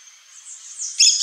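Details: A pair of Yellow-chevroned parakeets (Brotogeris chiriri): a faint, high hiss builds into a sudden shrill, harsh screech at the very end.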